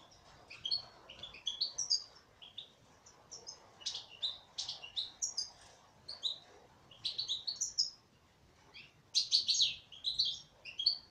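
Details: Long sequence of female goldfinch song, quick repeated twittering and chirping notes in steady clusters, with short gaps and a denser, buzzier burst toward the end.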